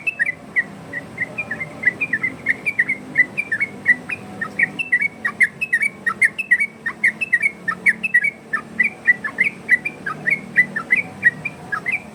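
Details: Ropel variasi song of a yellow-vented bulbul, used as a lure and tutor for other birds: steady loud series of brief whistled slurs, some rising and some falling, a soft constant hiss and low rumble behind.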